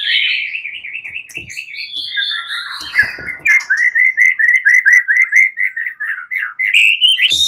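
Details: White-rumped shama fighters, nearly all of them joining in, singing in an agitated reply: a warbling wavering phrase, a long rising whistle, then a steady series of loud, clipped whistled notes repeated roughly twice a second, with faint knocks.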